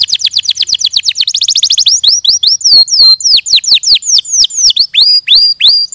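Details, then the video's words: Canary song made of rapid, high repeated notes: a quick run of falling chips, then slower series of downslurred whistles repeated several times a second. "Suara Burung Kenari"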